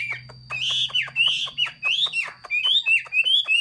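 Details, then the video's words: Chinese hwamei singing loudly and rapidly: rich slurred whistles repeated roughly three times a second, each note rising then dropping, over a low steady hum. "Chim hoa mi hot xuy. Singsong bird very beautiful"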